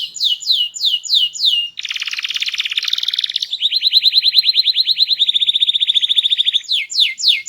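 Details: A loud, varied song from a small canary. It opens with downward-sweeping whistled notes, shifts to a harsh buzzy roll, then a long fast trill of clipped notes, and ends with more descending slurs.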